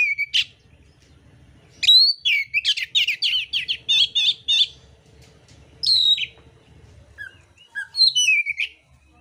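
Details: Oriental magpie-robin, mintal variety, singing in contest with rough fill material: a sharp whistle, then a rapid rattling series of repeated chattering notes for about three seconds, followed by scattered high whistles and chips over a soft low hum.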